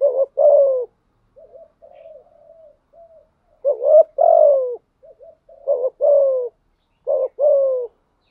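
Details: Spotted dove decoy with a 'giọng thổ' voice. Quiet purring murmurs lead into a run of loud coos, each a brief upward note followed by a descending held note, repeated every second or so near the end.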